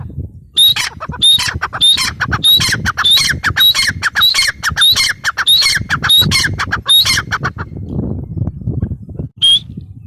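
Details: Grey francolin delivering a long series of harsh, high squawks, roughly two each second for seven seconds, then a pause with low rumbling before one last loud note.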